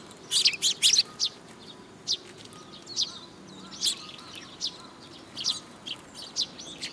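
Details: Flock of Eurasian tree sparrows coming to a feeding spot on a post at a Tenmangu shrine on 26 June 2022; a quick run of bright chirps opens, then single sharp high notes spaced about every half second.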